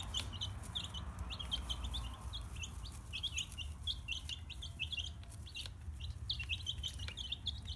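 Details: Spring chicks in an indoor brooder give their contented chick peeping, with many short, high, slightly downslurred peeps overlapping several times a second over a constant low mechanical hum.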